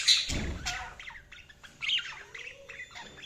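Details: Budgies giving quick high chirps and short warbled notes after a dull thump at the start, the calls loose and irregular.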